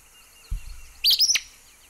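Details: Acadian Flycatcher (Empidonax virescens), a bird of Laguna de Sonso near Buga, Valle del Cauca, Colombia, gives one sharp, explosive two-part 'peet-sah', high and abrupt, after a soft low thump.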